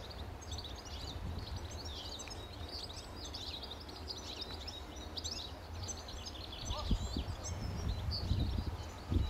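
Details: At least four yellowhammers together in a tree at Oughtonhead Common, Hitchin, March 2014, calling: a steady chatter of short, high, thin chirps and ticks, several birds overlapping, over a constant low rumble of wind or distant traffic.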